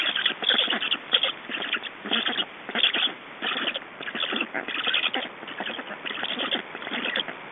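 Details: Black storks in Estonia at the nest during feeding, 18 June 2012, afternoon; harsh, rasping broadband bursts come in uneven runs, roughly one or two each second, with short gaps between groups.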